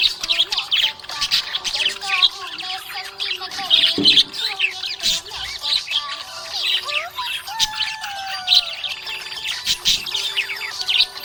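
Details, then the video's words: Long stretch of happy budgerigar chirping: dense scratchy chatter, squawks and gliding whistles throughout, with background music and a brief low knock near the middle. "Happy budgie chirping sound"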